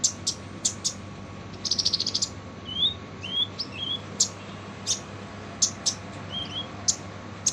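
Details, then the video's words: Kolibri ninja sunbird in full harsh song for training other birds; sharp high ticks recur roughly every half second, broken by a rapid buzzy rattle of about eight pulses and a few short rising whistled slurs. "KOLIBRI NINJA FULL SUARA KASAR"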